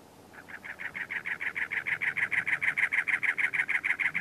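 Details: Territorial male cactus wren perched on cholla cactus in Anza Borrego State Park, California, in April, giving a long steady series of harsh, grating chug notes, about three per second, evenly paced and strong throughout.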